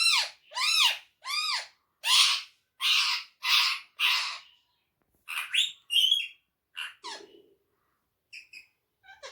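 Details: Talking pet parrot mimicking Urdu/Hindi phrases indoors: seven loud, evenly spaced arched squawky syllables, then a burst of thinner chattering notes that trails off.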